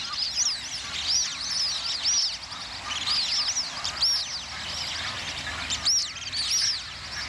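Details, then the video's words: Plumed whistling ducks fighting over territory, a chorus of high, thin arched whistles rising and falling, overlapping from several birds at irregular intervals over a steady background hiss. "Plumed Whistling Ducks Fighting Over Territory"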